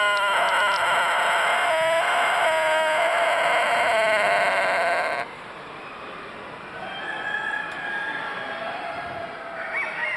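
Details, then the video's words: Long crow of a Tōtenkō rooster, a rare Japanese long-tailed chicken breed bred for long crowing: a drawn-out harmonic tone with wavering pulses running about five seconds, then cutting off to low background hiss. "Fantastic Beast Rooster Crowing Totenko Japan"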